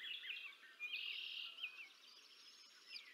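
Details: Two eaglets being fed by an adult female bald eagle at the Decorah North nest, 20 April 2024, nest camera recording: a few high chirps, a drawn-out harsh squeal, then softer thin notes.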